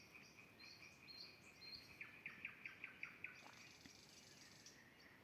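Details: Common nightingale singing in the evening at a dacha beside a vegetable garden with woods nearby: a steady high whistle, then a rapid series of seven loud, evenly spaced clicking notes, with faint insect-like background hiss.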